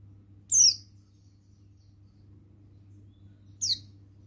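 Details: Oriental white-eye, a male buxtoni, uttering two thin, very high descending chirps roughly three seconds apart, with a soft low hum underneath.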